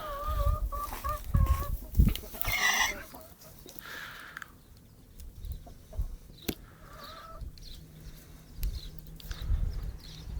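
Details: Sick hen making sounds as she breathes: thin, steady whistled tones in short repeated bursts at the start and again later, mixed with thumps, clatter and handling noise.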